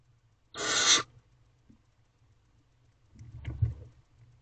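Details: Barn owlets in a nest box at about 2:56 am on 5 May 2023, eating a rabbit their mother brought: one young owl gives a harsh, breathy half-second hiss, then soft rustling and thumping movement.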